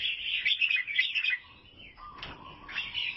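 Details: An albino sooty-headed bulbul, Vietnam, pours out a dense, bubbling chatter for over a second, then pauses before a low flat whistle and faint chirps.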